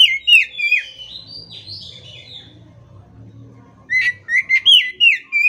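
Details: Oriental magpie-robin, called kacer, opening with strong whistles and a drawn-out buzzy warble, then a lively string of six sharp, slurred whistled notes at the end.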